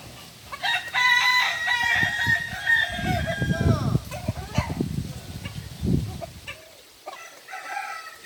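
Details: Kukuak Balenggek chicken crowing at a group training session in Ampang Kualo, Solok city: a burst of rapid stepped harmonic notes followed by loud thumping and rumbling noise and a faint later call.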